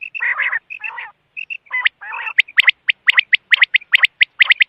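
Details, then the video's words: Quail chatter: opening raspy churrs and short clear whistled notes, then a fast run of bright, sharp chirps repeated several times a second. "Batair ki awaz|quail sound"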